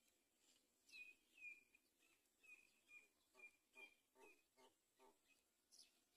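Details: Great myna feeding a chick on a palm tree; faint, short chirps repeated about twice a second, some with a rising squeaky edge, over a soft background hiss.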